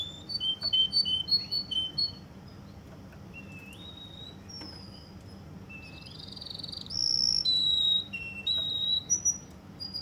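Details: Song of a Russian canary from Kuwait: a burst of fast repeated chirping notes, then rising whistled slides, a loud pure sustained tone and bubbling trills of short notes.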